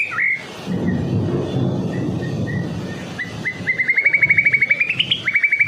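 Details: White-rumped shama from Medan singing in full voice, used as a lure for other shamas: a rising series of fast, clipped whistled notes that speeds into a rapid trill, with low rumbling background noise.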